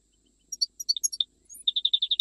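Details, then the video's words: Goldfinch from Jijel giving scattered high tinkling notes that lead into a quick, even series of repeated chirps at a steady, slightly lower pitch. "تغريد مقنين جيجلي"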